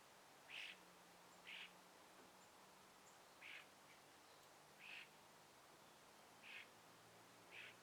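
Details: Birds chirping among trees at morning sunrise in a gentle breeze: six short, bright chirps spaced about a second apart, with a faint low hum underneath.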